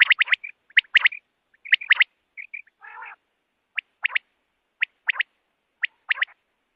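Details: Common quail, morning calling, Pakistan: rapid clusters of sharp whistled notes with small chirps and one harsh buzzy burst, then evenly spaced pairs of clear notes roughly once a second.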